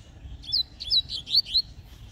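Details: A friend's young Double-collared Seedeater, or coleiro, sings during an outing in the bush near Praia do Dendê. It gives a short series of four or five sharp, high, slurred whistled notes over a faint low background rumble.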